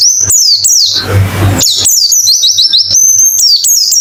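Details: White-eye song used as a therapy recording to get birds singing fast with open beak: rapid high, thin descending chirps and twittered phrases in quick runs, broken by a brief rushing noise burst and a low steady hum.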